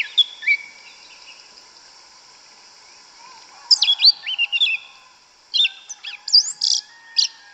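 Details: Wild yellow-legged thrush singing in the forest, its 'canto mateiro' style: high whistled slurs, then a dense burst of rising and falling twittered notes, a brief pause, and a final string of sharp, varied chips.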